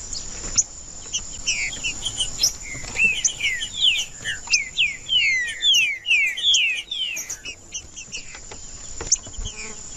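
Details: Green-winged saltator in full song, meant to warm up a cold bird: a quick run of loud, clear, downward-slurred whistles, rich and ringing, delivered in a dense phrase for several seconds, then fading to scattered notes under a constant high hiss.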